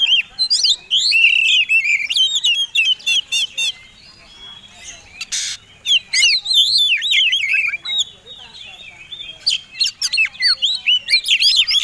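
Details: White-rumped shama fighting song, meant to provoke other birds into singing: a dense, rapid run of varied high whistles, sweeping slurs and chattering trills. It comes in bursts with short pauses, and a sharp broadband click sounds near the middle.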